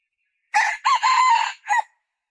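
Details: Female red junglefowl calling: a loud three-part phrase with a short harsh opening note, a longer sustained middle note, and a clipped final note, all in under two seconds against a silent background.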